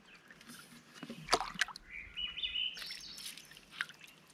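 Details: A Swainson's Thrush gives a fluty phrase that spirals upward and echoes across wilderness water on a canoe trip, after sharp paddle splashes and knocks.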